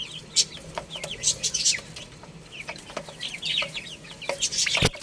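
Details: Young chicks at play and feeding give scattered thin, high down-slurred cheeps from several birds. Brief sharp clicks and taps sound between the calls, and a louder thump comes near the end.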